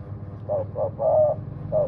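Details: Spotted dove giving soft, low coos in a brief series, one drawn-out note in the middle, against a rumbling engine-like background noise.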